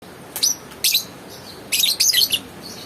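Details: Pet lovebird giving shrill, squeaky high-pitched chirps in short bursts: two brief single chirps early on, then a rapid cluster of four or five sharp notes, with a quiet background.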